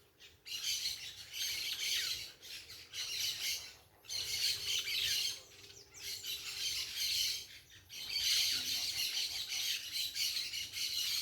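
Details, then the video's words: Parakeets making noise in nature: long stretches of piercing, scratchy communal chatter broken by short quiet gaps near four and eight seconds. "som da natureza com periquitos fazendo barulho"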